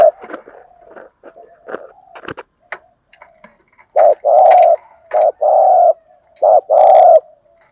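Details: Clattering clicks and scattered faint coos at first, then clear spotted dove gù thúc lure coos: three short-then-long paired notes, each long note steady and buzzy, used to stimulate trained doves.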